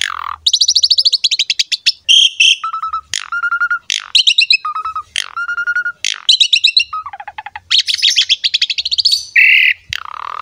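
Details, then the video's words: An Asian pied starling sings a rich, varied jumble of rapid chattering trills, clear mid-pitched whistles and harsh squeaky notes in quick bursts without pause, a song used to prompt other starlings to start singing. "SUARA JALAK SUREN GACOR MOMPA UNTUK PANCINGAN JALAK"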